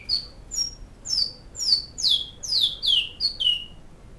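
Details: Great-billed seed finch performing its flauta song in Canoas: about ten clear whistled notes, each sliding down in pitch, delivered evenly about twice a second against a quiet background.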